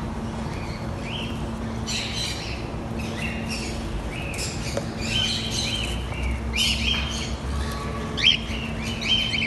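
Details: White cockatiel (Nymphicus hollandicus) calling: a run of short, shrill chirps and whistled notes over a steady low hum.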